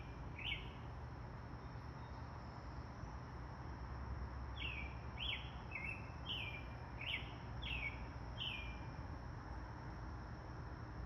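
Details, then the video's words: Wild birds chirping outdoors: a short rising chirp, then a series of seven similar bright chirps about every half second to second, over a steady low rumble of passing cars. "Birds chirping"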